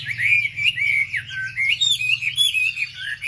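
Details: Wambi lure song meant to stir up other wambi: continuous lively warbling of high twittered and slurred notes, rising and dipping quickly, with a low electrical hum beneath.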